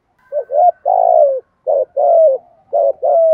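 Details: Spotted dove repeating its luring coo three times in quick succession: paired short notes, then a drawn-out falling coo, the phrases coming about every second and a quarter with a faint thin tone behind.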